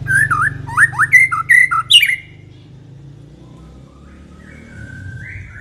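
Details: White-rumped shama giving a loud burst of twisting, varied whistled notes for about two seconds, used to lure other shamas into singing. A steady low rumble of background noise continues after the song stops.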